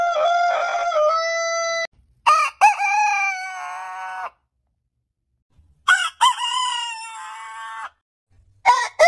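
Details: Compilation of heritage chicken breed roosters: one crow ends, then two full crows follow with a pause between, each a stuttered start and long sustained falling note, and another crow begins at the end.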